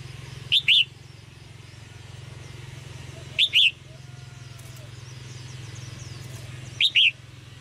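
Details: Chirping of a red-whiskered bulbul, meant to prompt males into singing: three brief two-note whistled phrases spaced roughly three seconds apart, with a constant low droning hum beneath.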